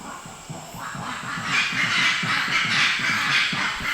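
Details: Invisible rail (Habroptila wallacii), Sulawesi, one of the hardest birds to see: a loud, low, rapidly repeated series of throaty pulses, about four each second, over background hiss.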